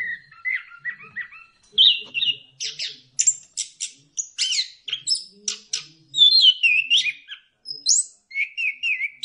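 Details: Orange-headed thrush song for stimulating caged birds to sing: a long, continuous medley of sharp high notes, chattering bursts and fluty slurred whistles, changing every second or so with barely any pause.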